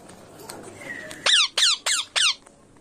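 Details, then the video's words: Indian ringneck parakeet giving four loud harsh screeches in quick succession, about a third of a second apart, after faint background noise and a soft whistle. "Indian Ringneck Parrot."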